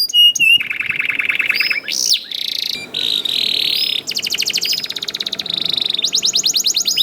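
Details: Young canary (kenari paud) singing to encourage other canaries to sing: rapid rattling trills alternating with sustained buzzy notes and quick whistled sweeps, continuous and high-pitched, with faint low background noise.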